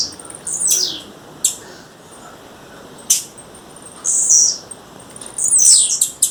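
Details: Wild female blue-black grassquit calling to a male. Sharp high clicks and short descending chirps come at irregular gaps, mixed with high buzzy notes near the middle and end.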